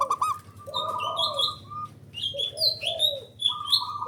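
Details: Male local zebra dove (perkutut) calling, a call played to lure rival doves into answering: soft rolling coos near a steady mid pitch with a lower bending note, mixed with bright chirps and whistles from other birds.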